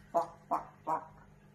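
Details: An angry African grey parrot gives three harsh, throaty squawks about a third of a second apart, rasping and mid-pitched, with a faint low hum behind.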